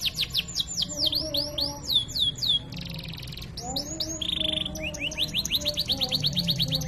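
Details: Canary in cengkok mewah style, gacor tutor song meant to excite other canaries: falling whistle sweeps, a buzzy burst, a steady trill, then a run of rising notes over low wavering tones.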